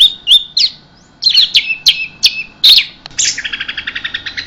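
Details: Short burst from an orange-headed thrush: several quick whistled and slurred notes, a brief pause, then a fast, evenly pulsed buzzy trill of about twelve beats, in the 'keserr' style.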